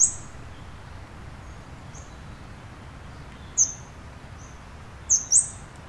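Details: Scarlet-backed flowerpecker calling: thin, very high, sharp tsit notes, one at the outset and a close pair near the end, each brief and slightly descending, separated by quiet seconds with only a low steady background hum.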